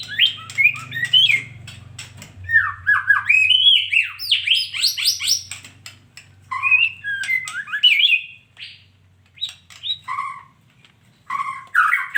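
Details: Female white-rumped shama producing a long, varied run of swooping whistles and chips, with a low hum under the first half.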